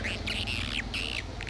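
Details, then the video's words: Swiftlet lure call known as "SP My President", a recording played to attract swiftlets and described as drawing a strong response: scratchy twittering chirps that sweep and waver, over a steady low hum. "Suara panggil burung walet"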